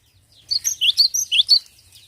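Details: Cinereous tit song: a brief burst of bright, high chirping notes, quick rising and falling twitters packed into about one second, over a faint low background rumble.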